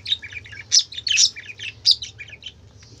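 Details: Pet budgerigars chattering in a busy run of quick, scratchy warbling notes and squeaky chirps, with three louder peaks, over a low background hum.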